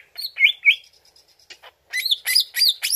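Greater green leafbird in a fast, varied song: bright slurred whistles and rising squeaky notes, a run of thin high ticks, then a burst of busy chattering phrases.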